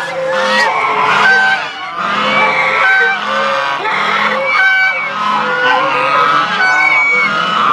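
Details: Chinese geese in a flock at Tobu Zoo's goose square, Japan, recorded very close in April 2021; repeated nasal honks, some long drawn-out, roughly every one to two seconds, layered over a steady murmur of other birds.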